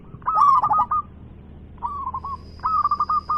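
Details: Local zebra dove singing vigorously with a big voice: three bursts of rapid, rolling staccato coos, each phrase a quick stuttered run of short notes, with a faint steady high whine in the background.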